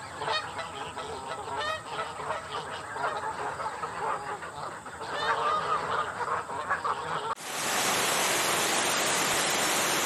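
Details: A flock of greylag geese in Great Britain honks in a busy, overlapping chorus of nasal calls for about seven seconds, then a sudden rush of loud, steady noise like water.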